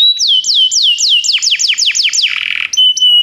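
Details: Canary song used to stimulate a pet canary: loud, clear whistled notes sweeping sharply downward, repeated about four times per second, ending in a buzzy roll and two short whistles.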